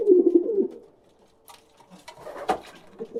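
A pigeon gives a low, soft, throaty coo in the opening second, followed by quieter rustling and faint murmuring sounds in a small indoor space.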